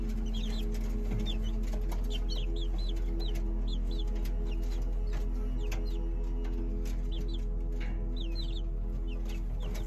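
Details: Serama chicks peeping: thin, high, upward-sliding peeps, often paired, repeated irregularly throughout, over a loud, steady low hum and faint clicks.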